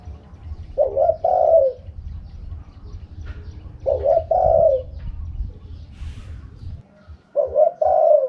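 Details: Spotted dove cooing in the "karom pa" wild song style. Three phrases, each with short clipped opening notes running into a drawn-out, slightly falling croo, with a steady low hum underneath.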